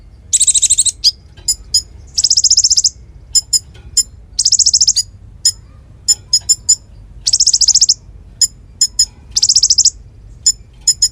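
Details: Konin, a songbird used as a tutor for magpie-robins and fighting songbirds, sings loudly. Short high buzzy trills repeat every couple of seconds, with bursts of sharp chip notes between them.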